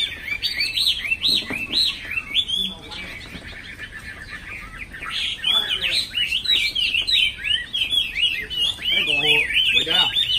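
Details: Chinese hwamei, a caged bird: long, varied song of loud slurred whistles, rising and falling phrases run together with hardly a break, with some low voices in the background.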